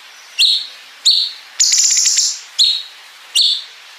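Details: Cungkok bulbul singing a training song for contest songbirds, with bren and ngepik fills: sharp, clipped whistled notes about every second, broken by one long grating buzz in the middle.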